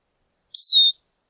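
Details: Lesser goldfinch giving a single clear whistle that slides gently downward and levels off, lasting under half a second, with silence all around.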